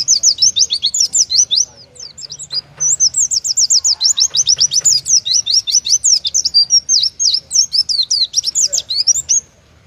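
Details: Full competition-style song of a caged Oriental white-eye, the type preferred by judges: nearly ten seconds of continuous, very fast, high-pitched whistles and chattering slurs with one short pause.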